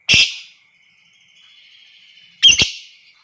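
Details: Lovebird calls used as a lure for long ngekek: one harsh high shriek, then after two seconds a rough doubled screech, over a thin continuous electronic whine.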